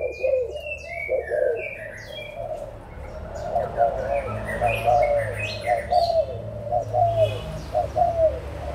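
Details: Several adult spotted doves, Malaysian and Thai birds, recorded 16 March 2022, cooing in low repeated phrases while high chirps and whistles from other birds run above.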